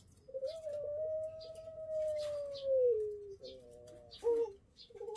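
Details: Pelung chicken, an adult breeding bird in its pen, producing a sustained, clear, whistle-like crow of nearly three seconds that falls in pitch toward the close. Short clucking notes and light clatter follow.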